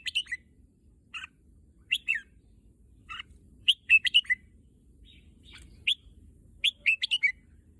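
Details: Thai caged red-whiskered bulbul, said to want to go out to the contest field, repeats short melodious phrases of clear, slurred whistles, single notes and trios spaced a second or so apart.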